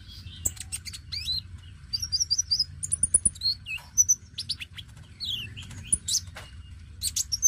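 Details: Oriental magpie-robin, a young bird in full song, used as a lure song for untrained birds: rapid varied phrases of high whistles, sweeping slurs and sharp chips, densely packed, over a low background hum.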